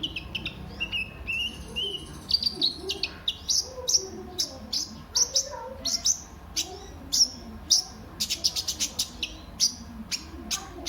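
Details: High-pitched kolibri ninja sunbird song for luring birds to sing: an opening thin whistle, then quick repeated sharp chips and sweeping tweets at irregular intervals, with a faint low hum behind.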